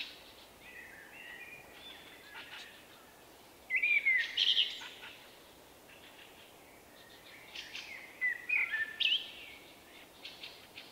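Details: Shy male common blackbird singing his unusual song, recorded late March 2024: quiet background until a loud fluty whistle with shrill twitters, then a second, similar burst of whistles and squeaky notes.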